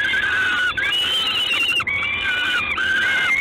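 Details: Peregrine falcon calling in Gdańsk, evening of 3 June 2016. Drawn-out, harsh whining notes, each about a second long, follow one another with only brief gaps. Some notes bend upward near their ends.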